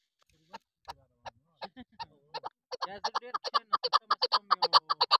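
A female chukar gives harsh, clucking chuk notes, spaced at first, then speeding into a rapid, steady series of about three per second.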